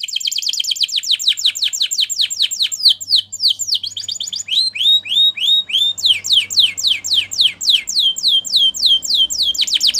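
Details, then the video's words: Loud canary song for training: rapid downward-slurred whistles in quick runs, breaking into slower swooping notes and then faster rolls again. Little background noise. "Make Your Canary Singing Again"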